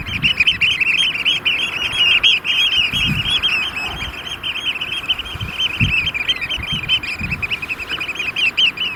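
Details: Eurasian oystercatchers, at least 30 together, in courtship display at a sand extraction lake in Vriezenveen, Netherlands, at barely 5°C amid rain and hail showers. A dense, unbroken chorus of shrill piping notes overlaps rapidly, over a low rumble of wind.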